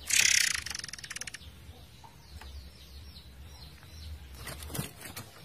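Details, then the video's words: Forktail over a flowing-water background, recorded for songbird training; one loud, fast, buzzing rattle opens, fading into a drawn-out tail of pulses, followed by soft chirps and low rumbling noise. "MASTERAN BURUNG MURAI AIR GACOR / Ngerol Durasi Panjang"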